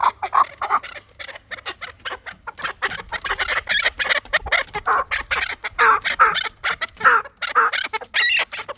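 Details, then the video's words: Chukar partridge, a fighting bird, calling in a dense run of short harsh clucking notes, many bursts each second, rough and throaty, with brief gaps and no other clear sounds. "Кабки Дулани чанги"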